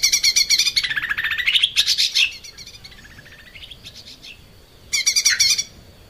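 Lesser green leafbird singing a fast, varied run of high chirps and bright twitters in two loud bursts, with a softer warbling stretch between them.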